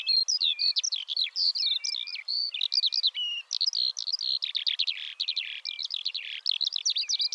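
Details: Song of a Eurasian skylark, an unbroken, hurried outpouring of varied high twittering notes, slurred whistles and short buzzy bursts, densely packed with barely a gap.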